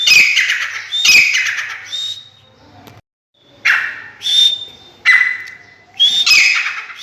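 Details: Captive Sindhi black francolin calling: loud, harsh, grating phrases of rasping notes, several bursts separated by short silences, close and strong.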